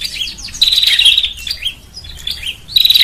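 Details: Brief bar-winged prinia lure sound for attracting birds: a sharp, high buzzy trill, softer warbled notes, then another piercing trill.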